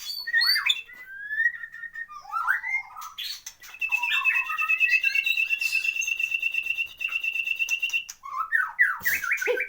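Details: Caged champion white-rumped shama with full repertoire sings slurred whistles and chirps, then holds a long buzzy trill lasting about four seconds, finishing with quick rising and falling notes.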